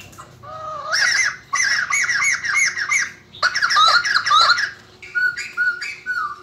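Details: White-crested laughingthrush singing after eating a gecko, said to sing and dance all day: loud, harsh chattering phrases of rapid rising-falling notes in bursts, a short gap midway, then softer whistled notes trailing off; faint low hum behind.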